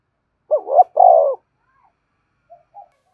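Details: Lure cooing of a spotted dove in the standard style. It gives a rising two-part note and a drawn-out buzzy coo, then a pause, then two faint short notes.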